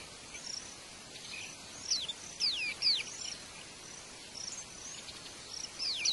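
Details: White-eye in the wild at the nest feeding young, giving several sharp, high, steeply falling chirps clustered in the middle, with softer scattered high notes before and after against constant background hiss.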